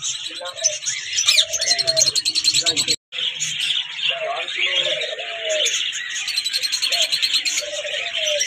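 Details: Early morning chirping of many birds: a dense, continuous chorus of high, rapid twittering notes, with a man talking underneath and a brief break partway through.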